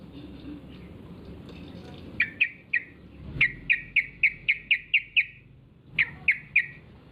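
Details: Yellow-vented bulbul calling as a lure so others reply: crisp, bright chip notes in regular runs, first three, then a steady string of nine, then three more after a pause, with faint background hiss.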